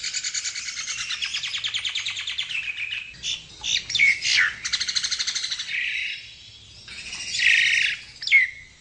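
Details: Javan myna, known locally as jalak Nias, pouring out a dense, continuous chatter of rapid trilled notes, broken by squeaky whistles and rough grating phrases.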